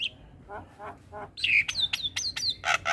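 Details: Morning song of a Javan pied starling: soft raspy notes give way to loud, sharp whistled downslurs and clipped high notes, ending in two harsh buzzy bursts.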